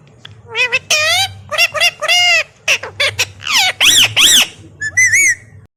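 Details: Pet rose-ringed parakeet calling while playing: loud harsh squawks and screeches in quick bursts, some rising and falling, sharp repeated notes, with low background hum.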